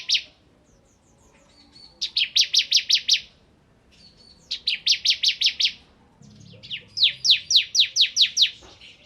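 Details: Ciblek kristal, a bar-winged prinia, in energetic nembak ngebren song. Three separate bursts of six or seven fast, high, buzzy notes, separated by short gaps filled with soft chattering. A faint low rumble sits underneath.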